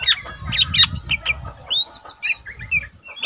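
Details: Tutor recording of a caged young Lesser green leafbird that sings eagerly: rapid sharp chips and quick slurred whistles tumble one after another, accompanied by low rumbling background noise.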